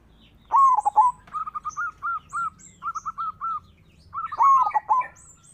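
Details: Local zebra dove in full song, used as a lure to provoke rival doves into singing: a swooping, warbled coo phrase, then a run of about ten short, even, mellow notes, then another swooping phrase. Faint high chirps of other birds sound behind.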